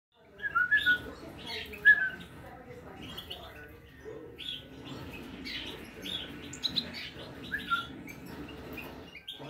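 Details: European goldfinch at feeding time, giving short, bright twittering chirps in irregular bursts, about one a second, over a steady low rumble of background noise.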